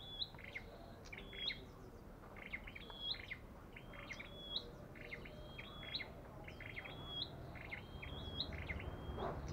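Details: An olive-backed tailorbird behaving aggressively repeats a bright, clipped two-part whistle about once a second, each note a sharp flick followed by a short level tone, with soft background noise.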